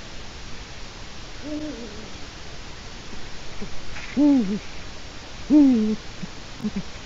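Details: Eurasian eagle-owl on a webcam in Latvia, 4 March 2018 at 16:06: three hoarse, harmonic calls, each rising then sliding down, about half a second long, spaced one to two seconds apart, with fainter similar notes and steady background hiss.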